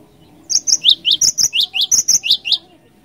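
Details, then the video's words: Lure recording of a Cinereous tit in full ngerol ngeplong song, a rapid chain of roughly eleven bright two-pitched chips, high pip then lower slurred note, over faint background hum. "Suara ASLI Glatik Batu Gacor Ngeeerool Ngeplong"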